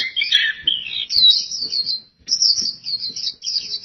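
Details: Energetic pleci song: an oriental white-eye pours out bright, high, jumbled twittering phrases, pauses briefly, then resumes with another long, fast, trilling burst. Light ticking noises in the background.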